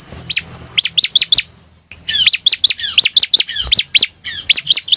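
Bar-winged prinia singing a fast, high series of sharp, chirping notes, with a brief pause before the run picks up again.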